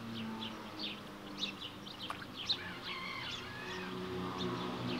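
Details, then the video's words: Smew ducklings about a week old, alongside their mother, give high thin peeps and a few short downward-sliding notes in a loose, irregular series, with a soft low hum behind. "Week old Smew ducklings with their mom"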